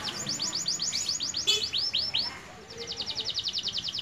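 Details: Young canary just past its voice break sings slower swooping high notes, then after a short gap switches to a quick, evenly repeated chirping phrase; a faint voice murmurs underneath.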